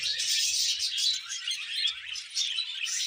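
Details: A male budgerigar courting a young female, kept as a pet indoors; dense unbroken chattering warble of quick chirps and rasps.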